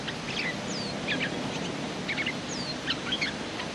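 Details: A bulbul recorded as a lure call (merbah), a matched pair focused on fighting rather than singing: short bubbly chirps in clusters about every second, with high thin down-slurred whistles between, over a steady background hiss.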